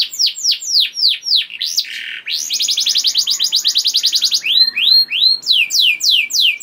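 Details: Canary singing to encourage other canaries: descending whistled notes, a low buzzy burst, a rapid regular trill, then rising swoops and downward slurs repeated at a brisk pace.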